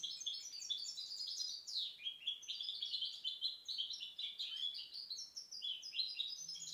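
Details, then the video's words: Goldfinch hybrid (mixto de jilguero) hatched in 2010 singing a continuous, fast, high tumbling song of twittering chirps, slurred notes and brief trills, with no pauses. "Mixto jilguero pio 2010 alias el "tormenta""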